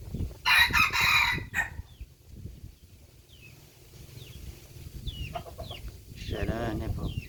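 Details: Rooster gives one loud, hoarse, broken crow early on. Scattered small-bird chirps and a lower, throaty chicken call follow near the end over a low background rumble.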